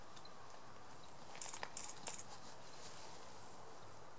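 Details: Grey bunting giving three short, thin, high-pitched call notes in quick succession around the middle, then quiet, over a steady low background hum.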